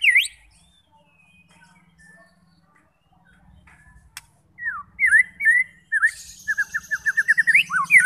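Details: White-rumped shama song used to provoke fighting shamas into singing: near-quiet opening with a faint low hum, then from midway a run of loud sharp whistled notes and rapid rising-falling phrases building toward the end.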